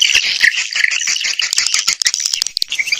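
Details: Swiftlets in a stereo lure recording meant to attract them: a thick wall of shrill twitters and squeaky chirps overlapping without pause, a few clearer whistled notes standing out, thinning slightly toward the close.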